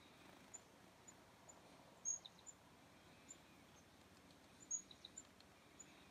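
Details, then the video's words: Several chickadees in winter cold on the afternoon of January 2, 2019: faint, very high thin chips scattered about every half second, with two louder high notes trailed by lower soft notes, over a calm hissing background. "A Few Chickadees in the Cold"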